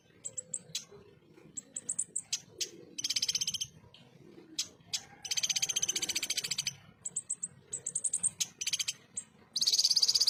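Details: Konin, the ruby-cheeked sunbird, delivering harsh 'tembakan kasar' bursts: scattered sharp high chips broken by short rapid buzzy trills lasting about half a second to a second.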